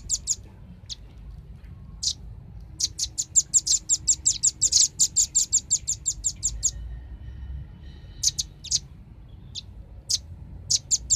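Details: Busy, clear calling of a velvet-fronted nuthatch from a lure recording to attract birds: long volleys of rapid, hard, high-pitched chit notes, about three per second, broken by short pauses and isolated chips.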